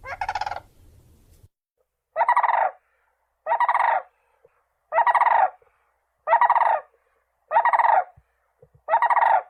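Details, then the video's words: Crane repeating a rolling, pulsed, trumpeting call about every one and a half seconds, seven bursts in all, each broad and rattling. "Голоса птиц как поёт Журавль (Grus)"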